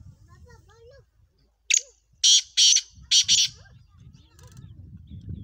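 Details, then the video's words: Black francolin giving a loud, harsh, grating phrase of about five rasping notes over two seconds, with soft whistles from other birds just before. "kala teeter ki awaz"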